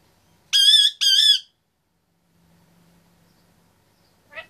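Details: A caged 25-month-old male Indian ringneck parakeet gives two loud, high, wavering whistled notes back to back, then near silence with a brief short call at the end.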